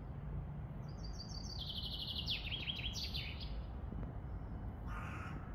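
A chaffinch gives one bright, descending run of notes that speeds up and ends in a flourish. Steady low rumble throughout, and a brief harsh call from another bird near the end.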